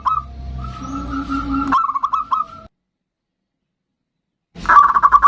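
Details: Zebra dove of the bodronoyo type, recorded as a lure to get other birds singing: a long steady tone with a low hum beneath, a quick run of bubbling notes, a silent gap, then a closing burst of rapid cooing notes.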